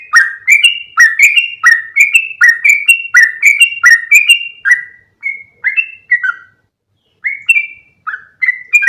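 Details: Lure recording of yellow-vented bulbul used to attract other bulbuls: rapid, liquid rising-and-falling chirps in a steady series, then sparser phrases after a short silence.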